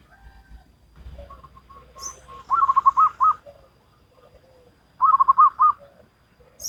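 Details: Local zebra dove singing in the Salendro rhythm style: two bursts of rapid, pulsed mid-pitched coos, each a quick stuttering run of notes ending in a short rolling flourish, separated by quieter soft lower notes.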